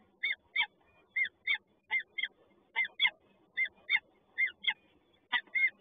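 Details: Peregrine falcon chicks in a nest at Toruń, Poland, give harsh, hoarse double begging calls about twice a second in a steady run, over a faint background rumble.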